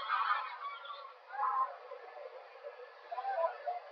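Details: Whooper swans leaving their roost around sunrise in Drenthe, the Netherlands, on the morning of 18 January 2023; a flock gives overlapping honking, bugle-like calls in irregular bursts, several birds at once.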